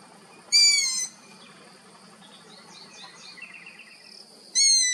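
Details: Young long-eared owl in Abruzzo, Italy, giving two shrill, squeaky half-second calls about four seconds apart; faint chirps of other small birds fill the gap, over a low steady hiss.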